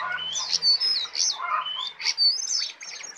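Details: Tame brown prinia singing actively in full 'isian' style: quick high chirps, thin whistled slurs and buzzy notes tumbling together without pause, bright and varied, with a faint low hum beneath.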